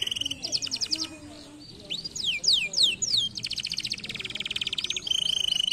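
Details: Singing canary, offered to prompt lazy canaries to sing: a rapid high rattling trill, steep downward whistled slurs repeated about every third of a second, then a long dense buzzy trill and a pure sustained whistle.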